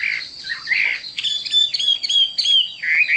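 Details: Chinese hwamei song of rich, rapid whistled notes and slurred phrases, bright and loud, tumbling one after another with little pause.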